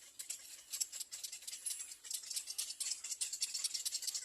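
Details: Hungry little egret chicks at nest three calling for food: bursts of rapid, rattling, maraca-like clicking, roughly two pulses a second, high-pitched and harsh.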